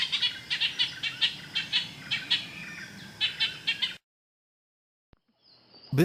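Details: Ochraceous Bulbul from Thailand: about four seconds of rapid, rasping chatter notes. The sound then cuts to silence, followed by a brief different sound at the end.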